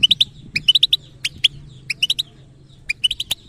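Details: European goldfinch delivering batbata-style song for trainers: rapid liquid twitters in tight bursts, each burst of several bright rising notes, gaps of about half a second between, over a soft low hum.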